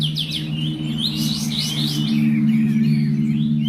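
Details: Bulbul singing at a songbird contest in Bonjol, Pasaman Timur, Indonesia. A fast run of bright, twisting warbled notes repeats several times a second over a steady low hum.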